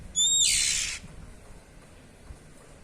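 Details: A single harsh, rasping 'cier' note from an Oriental magpie-robin (kacer), ngeplong style, beginning with a short high whistle and lasting under a second, then quiet.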